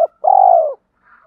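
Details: Spotted dove, male and female, calling as a decoy to lure wild birds. A short clipped note, then a single long, steady, deep coo that falls at its end, with a faint distant coo after.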